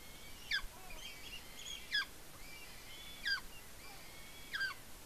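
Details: Young eagle at a nest cam in Smola, Norway, dated 7.12.18, eating a fish brought by its mother, squeeing with excitement: thin, high, downward-sliding squeals, four in about five seconds, over steady background hiss.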